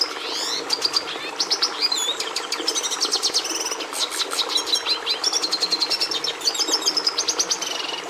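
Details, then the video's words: Continuous Red siskin song, a lively jumble of high twitters, rising and falling chirps and short buzzy trills, rattled off rapidly for the whole stretch over a low steady hum. "Canto do Tarim da Venezuela"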